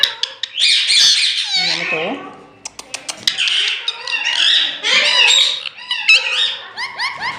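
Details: Green Indian ringneck parrot talking in Urdu-Hindi, saying "main mithu": a dense run of harsh, squawky and chattering syllables with bright warbled bursts and sliding tones, broken by short clicks and brief pauses.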